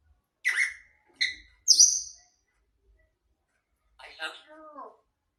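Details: Three clear whistled notes, the last highest, then a soft, speech-like mumbled phrase from a grey parrot in a quiet room.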